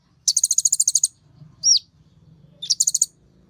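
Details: Kolibri Ninja sunbird, an excited tutor song: a fast trill of about fifteen shrill high notes, one hooked downward chirp, then another shorter trill, over a faint low murmur.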